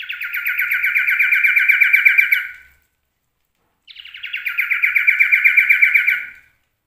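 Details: Kept male common iora sings a song full of borrowed phrases: two long, rattling trills, each lasting over two seconds and swelling in loudness, separated by a second of silence.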